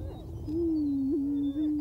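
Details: Male Greater Prairie-Chicken booming on a high open booming ground in Missouri during the spring mating ritual, inflating orange neck air sacs to draw in females; one low, steady moaning hoot lasting over a second with a slight wavering lift near its middle.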